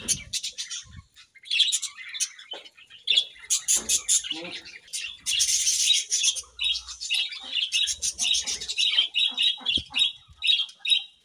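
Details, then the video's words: Budgerigars chirping in the morning, steady stream of high warbling twitters and clicks in short pulsing phrases, sharp repeated notes throughout. "Budgies' Morning Chirping Sounds"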